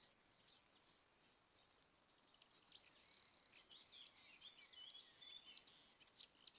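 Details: A newly returned marsh warbler sings in Kreis Plön, Schleswig-Holstein, on 23 May 2020, a fast, varied run of high chattering and whistled phrases with few imitations, building after a quiet start, under a tree sparrow nest box, over steady hiss; recorded at low level.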